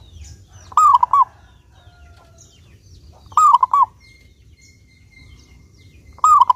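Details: Clear-voiced local zebra dove (perkutut), a lure for other doves: three mellow three-note coo phrases repeated roughly every 2.7 seconds, with light high bird chirps and a thin steady tone between them.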